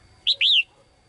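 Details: A single phrase from a female bird singing in a cage to draw the male: a short high chirp, then a longer whistle that rises and falls.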